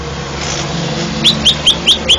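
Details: After a second of noisy hum, a greater green leafbird that won first place in a Banten, Indonesia singing contest gives five clear, upslurred whistles in a rapid evenly spaced series.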